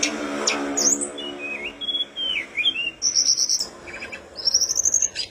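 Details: Flowerpecker known as tledekan gunung singing vigorously for a birdsong training recording: sharp high notes and wavering whistles, followed by two long, very high rattling trills, over a low steady hum.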